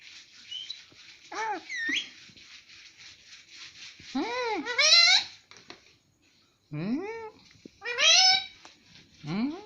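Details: Indoor pet rose-ringed parakeet imitating mummy: a run of arching, voice-like harmonic calls, some rising sharply, in loose groups with a pause midway, over a steady soft hiss.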